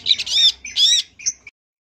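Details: Long-tailed shrike, a champion bird with a full filler-phrase song, giving loud rasping squawks, two long harsh notes followed by a short chip, then silence.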